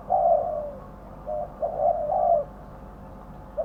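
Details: Spotted dove used as a lure bird in trapping, prized for its voice: a long hoarse coo sliding slightly downward, a short note, then another long coo, and the start of a further note.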